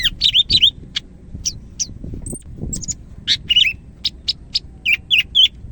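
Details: Greater green leafbird, Medan type, in energetic song: quick clusters of high chirps and twisting whistled notes, about three to four per second, with some low thumping noise mid-way.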